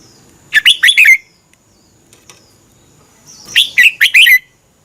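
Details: Red-whiskered bulbul, caged, Thailand, singing for training or stimulating other caged birds: two lively phrases of four or five clear, slurred chirps, separated by about two seconds of quiet.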